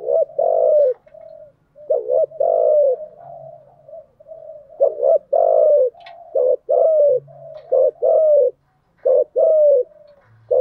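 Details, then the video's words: Spotted dove used as a lure for wild doves, cooing in the thúc gù and gáy gọi styles: a dense run of rounded coo notes, some doubled and drooping at the end, with a soft low hum underneath. "Tiếng chim cu gáy mồi giọng lôi cuốn hấp dẫn đủ bài[ THÚC GÙ , GÁY GỌI ]"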